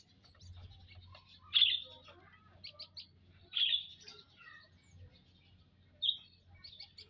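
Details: Munias in a mixed aviary during a daily check on Saturday, 19 April 2025: short, high, sharp chirps and twittering notes in bursts about every two seconds, with a steady low hum underneath.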